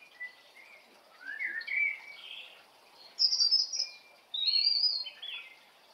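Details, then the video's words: Morning birdsong with separated bursts of bright, high whistled and warbling phrases, some rising and slurred, each lasting about a second with short pauses between, against a quiet background. "Morning Glory todays Bird Song"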